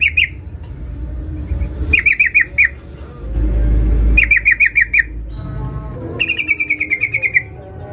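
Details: Sooty-headed bulbul, a female calling the male: rapid sharp chirp bursts of about five notes, then a longer even rattle of quick notes near the end, over low background rumble.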